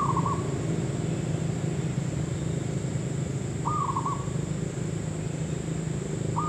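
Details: Zebra dove at a trap site, its brief rattling coo phrases of quick stuttered notes coming roughly every three seconds, partly covered by a heavy low engine-like rumble and a thin steady high tone.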